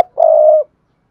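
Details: Spotted dove lure coo, played through a speaker to stimulate males to coo, with no background noise: a single smooth, low hooting note lasting about half a second.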